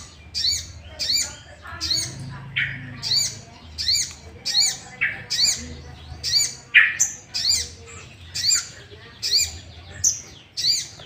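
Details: Sooty-headed bulbul sound used to provoke rival bulbuls to sing: a long series of sharp, scratchy squawked notes, roughly one per second, with a few lower, fuller calls mixed in.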